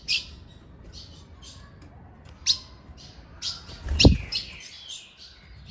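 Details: Ultramarine grosbeak female giving calls that excite males: a few bright, clipped high chirps spread across the recording, one sharp knock midway, then more chirps closing out.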